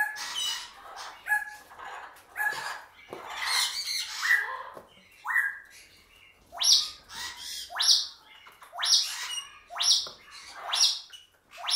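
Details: A pet Congo African grey parrot venting hormonal anger on a cereal box toy gives harsh, squawking calls mixed with sharp whistled notes, in irregular bursts roughly once a second.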